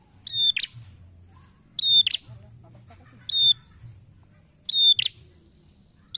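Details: Red-headed prinia (prenjak kepala merah), used as a lure call, gives loud, sharp bursts of high chattering notes, each about half a second long, repeated roughly every one and a half seconds; a low hum underneath.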